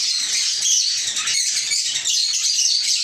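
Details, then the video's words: Chorus of lovebirds in a small aviary: many shrill, high chirps and squeaky chatter blend into an unbroken, loud twittering mass for the whole stretch. "Love Birds Chirping Sounds"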